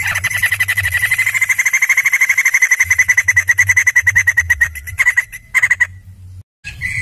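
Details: White-crested laughingthrush, called poksay jambul, delivering a long fast rattling trill of evenly pulsed ringing notes for about five seconds, then brief broken notes and a short whistle after a silence.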